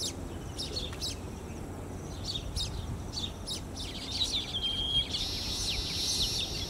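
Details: Baya weaver at Emaar Imperial Garden, Dwarka Expressway, Gurugaon, recorded with a Canon EOS 80D and Tamron lens: sharp high chirps repeated several times a second, ending in a drawn-out buzzy wheeze, over a low background rumble.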